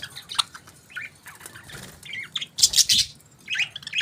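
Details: Morning budgie chirps, scattered high tweets and short squeaky bursts with a loud rustling flurry near the middle.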